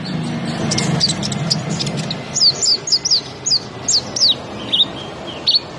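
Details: Bee-eater giving a series of short, high, downward-slurred chirps, about two per second, over a steady low rumble of background noise.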